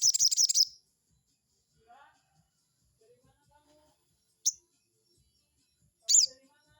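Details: Crested jay calling as bait to provoke a rival: a quick high rattle opens, followed by quiet gaps and two isolated sharp, high notes, with faint lower chirps between them.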